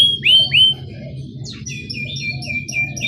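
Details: Canary song meant to draw out young birds: two loud upslurred whistled notes, a pause, then softer clipped chirps and short whistles at a quick pace above faint low rumble.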